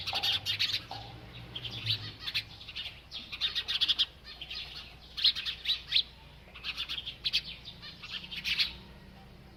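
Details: Bird eating and chirping: lively high-pitched tweets in rapid clusters, with a soft low hum early on.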